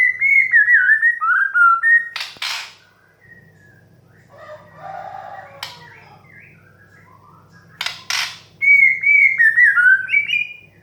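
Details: White-rumped shama song played as therapy to stimulate young, stressed or untrained birds to sing, clear slurred whistles falling in pitch, broken by loud harsh bursts, with a quieter warbling passage and low background hum.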